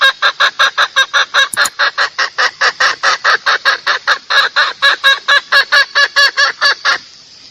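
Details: Female red junglefowl luring males: a fast, continuous train of short, nasal, harsh clucks, about four a second, over faint background hiss, fading at the end.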